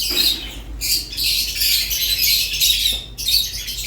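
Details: Rosy-faced lovebird and Fischer's lovebird song: harsh squawks and rapid high chirps in thick overlapping bursts, broken by two short pauses, one near the first second and one late in the clip.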